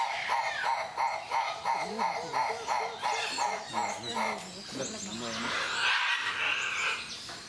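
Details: Livingstone's turaco giving a rapid series of barking, harmonic notes, about three a second, steady at first and then fading into a rougher jumble, with voices in the background.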